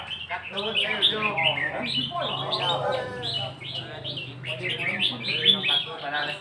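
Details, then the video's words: Red-whiskered bulbul singing for a phrase count, giving a busy run of short whistled, chirpy phrases almost without pause, with a low musical hum underneath. "เสียงนกกรงหัวจุก นกกรงหัวจุกนับดอก"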